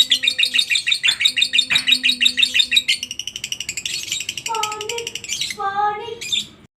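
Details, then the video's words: Lovebird ngekek chatter for training other lovebirds: three seconds of rapid high repeated notes, then a denser jumble with lower whistled tones from other birds. "masteran burung Lovebird ngetik,ngekek cocok buat lb lain biar cepat gacor ,ngekek panjang"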